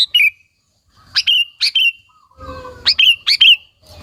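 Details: Sooty-headed bulbul in spirited song used as a lure to provoke other local bulbuls: short sharp notes dropping into a warble, given in pairs, with a faint steady hum midway.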